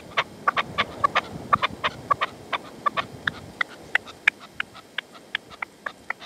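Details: At sunset in the sierra, Manzanares, 27 February 2014, a partridge used as a reclamo decoy calls while the male refuses to come in: sharp, clipped chucking notes fired in quick bursts, then spacing out and fading slightly.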